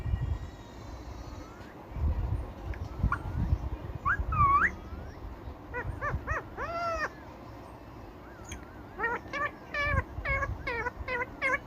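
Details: Indian ringneck parakeet talking, giving a run of short, arched, voice-like syllables, some rising and falling, ending in a quick series of about six clipped notes over a low room rumble.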